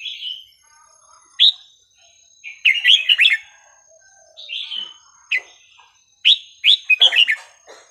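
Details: Red-whiskered bulbul with a varied, non-repeating song used to teach young birds: sweet whistles alternating with fast chattering runs of bubbly notes, phrases a second or two apart.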